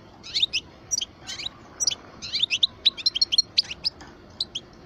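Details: European goldfinch, parva form, twelve years old, giving a steady series of short twittering chirps in clusters, light and high-pitched, against faint background hiss.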